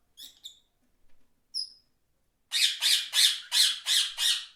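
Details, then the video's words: Parrots squawk: a few soft notes and one thin whistle, then six loud harsh squawks evenly repeated about three per second. "Beautiful parrots chirming and making beautiful sounds"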